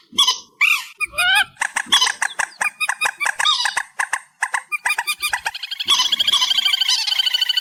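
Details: Reed warbler singing, amplified: twisting slurred notes, then a long run of strident, evenly repeated harsh syllables that ends in a fast, continuous, grating trill.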